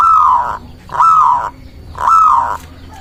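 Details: Local zebra dove calling repeatedly to lure doves and provoke rivals. Three loud, sustained, slightly rising-then-falling coos come about once a second, with short pauses between them and soft background chirping.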